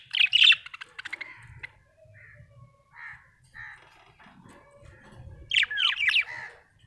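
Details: Happy budgerigar chirping: sharp chirps at the start and end, with softer, rounded whistled notes in between, heard against a quiet indoor background.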